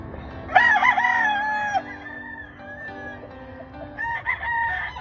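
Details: Grey Kelso Albany rooster on a farm delivering a strong, wavering crow lasting over a second, followed by softer trailing crow notes, set against quiet rhythmic music.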